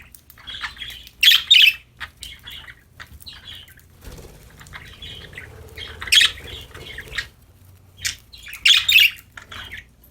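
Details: Happy budgerigars chirping while playing: bursts of bright, scratchy twittering chatter at about one and six seconds, with softer warbled notes between and quieter spells, against a low steady background hum.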